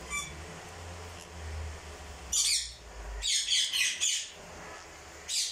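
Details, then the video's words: Crimson-bellied conure calling with loud raspy squawks in bursts, a cluster of rapid harsh notes followed by pauses and another short screech, low hum in the background. "Red Belly Crimson conure"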